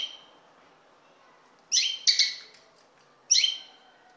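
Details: Common linnet giving a few bright, ringing chirps, two close together and then one more after a pause, over a quiet, hissy background.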